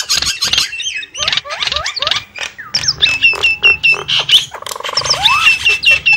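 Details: Harsh chattering and twisting whistles from a Javan myna lure call, with runs of short repeated notes and a drawn-out nasal buzz rising at its end.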